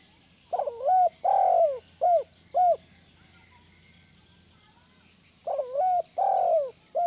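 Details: Vigorous spotted dove call meant to prompt reluctant doves to sing; two four-part phrases about five seconds apart, each a wobbly first coo, a long sliding coo and two brief arched notes.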